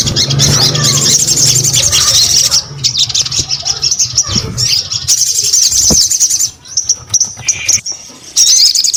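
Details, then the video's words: A persistently singing sogon pours out a high, continuous chatter of quick chirps and trills, breaking off midway and then resuming in short bursts, with faint low background noise. "SUARA SOGON GACOR !! JANGAN BIARKAN SOGONMU BISU ATAU MALAS BUNYI"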